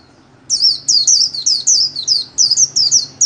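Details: Cage-bird white-eye performing the 'líu' style solo, played for daily song training. High, rapid, looping whistles start after half a second and rush on without a pause over a faint low hum.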